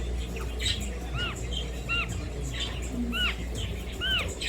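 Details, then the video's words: Pet Indian ringneck parrot making short, arched, squeaky notes, repeated roughly every three-quarters of a second over a loud steady low hum and background noise. "The Indian Ringneck Parrot Kiwi Makes Beautiful Sounds"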